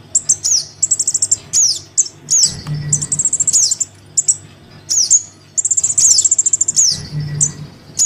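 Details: Crimson sunbird nestling calling to its parent, a lure sound for wary sunbirds: fast, high-pitched chattering trills mixed with steeply downslurred squeaks, coming in bursts with brief pauses, over a constant low electrical hum.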